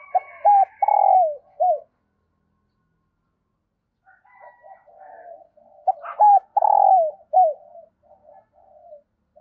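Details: A decoy spotted dove calls at dawn to draw in wild doves. Two loud phrases of short hooked coos and a drawn-out burry note are separated by a quiet gap with soft murmuring notes.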